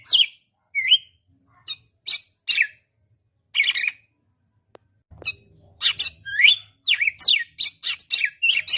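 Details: Red-cowled cardinal song made of clear whistled notes, some sliding down, others rising, set in short separated groups, then after a brief gap a rapid, dense run of loud slurred whistles.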